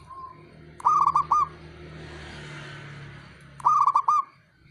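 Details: Calling male zebra dove, a challenge to rival birds: two clear bursts of fast, rolling low coos roughly three seconds apart over a constant low humming background.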